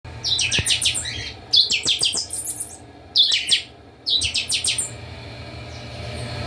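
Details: Several captive Chopi blackbirds from a breeding aviary singing together in a noisy chorus. Bursts of bright, high chirps and whistled notes come in four clusters about a second apart, with a steady low hum underneath.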